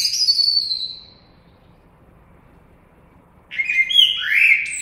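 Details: Common blackbird: the thin, high, falling tail of one phrase, a few seconds of silence, then a new mellow fluted phrase that ends in a high squeaky flourish.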